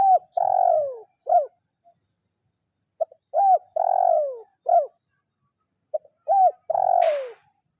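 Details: Spotted dove, a trained decoy bird in the kuk 0-1 style, calling a rival: three phrases of a short note, a rising-falling coo and a long descending coo, then a clipped final note, with brief pauses between phrases.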